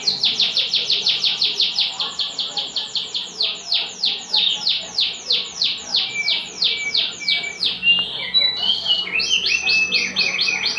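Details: Oriental white-eye kept as a master singer, pouring out a fast rattling series of sharp high chips, about three per second for eight seconds, then switching to a brief buzzy trill and a new quick high stutter.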